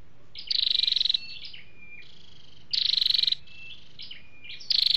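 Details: Flowerpecker calls, male and female: quick-pulsed rasping buzzes roughly every two seconds, linked by faint high flicking notes and a thin level whistle.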